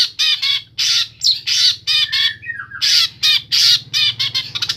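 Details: Long-tailed shrike from Pemalang, Central Java, singing a song packed with mimicked phrases: harsh, raspy bursts repeated about every half second, broken by a short descending whistled slur, over a steady low hum.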